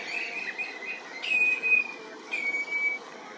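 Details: A common ringed plover, a species threatened with extinction in Germany, gives two clear, drawn-out whistled notes, each slightly falling, about a second apart, over steady wind or traffic hiss.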